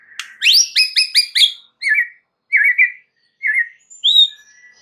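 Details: Lure song of a white-rumped shama, meant to draw replies from other shamas: a quick series of sharp high notes followed by spaced warbled whistles.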